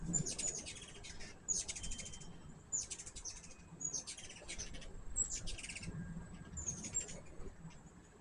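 A hummingbird gives high, thin, scratchy chip bursts about once a second, over a low, steady hum and rustle.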